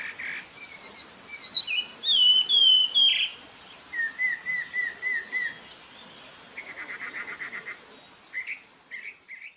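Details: Varied loud whistles from a Taiwan hwamei in Jianshi, Hsinchu, Taiwan, April 2024: clear sliding notes, a string of evenly repeated whistled notes, then quick trilled bursts and short upslurs.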